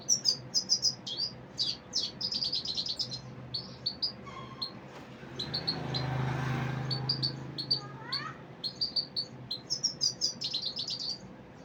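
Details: Common Iora with rapid, rhythmic high chirping in repeated bursts, interrupted midway by a low rumbling noise and a short rising sweep before the chirps resume.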